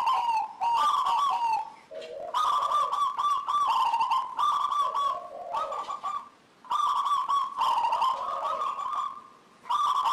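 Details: Local zebra dove song played as a lure to prompt other zebra doves to sing; loud, rich cooing phrases with rolling trills, given in bursts separated by short pauses, with a few lower notes between bursts.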